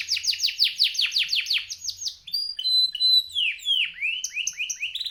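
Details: Male canary singing in a lively, competition-style manner: rapid series of downward-sweeping whistled notes repeated about three per second, then a varied mix of clear whistles, trills and rising and falling phrases; no other sounds.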